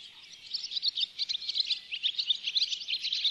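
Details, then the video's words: Rapid pulsing twitter from Barn swallows at a bird hide in Oostvaardersplassen, September 2016, filmed on a Panasonic Lumix GH4. Short chirps come in quick, rhythmic bursts, with a faint thin whistle running beneath. "Hirundo rustica, Boerenzwaluw"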